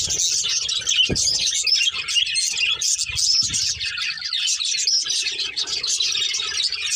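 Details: Budgerigars, a breeding pair, keep up steady high-pitched chirping and chattering warble throughout, with a few faint knocks and rustles underneath.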